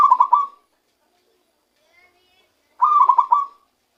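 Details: Zebra dove taken by luring, now voicing its true song: two rolling coo phrases of quick pulsed notes, one cut at the start and another about three seconds later, silence between.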